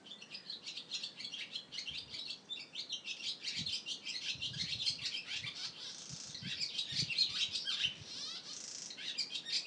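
Barn swallow twittering in a fast, high run of chirps and chattering notes with a few buzzy trills, with faint low bumps beneath.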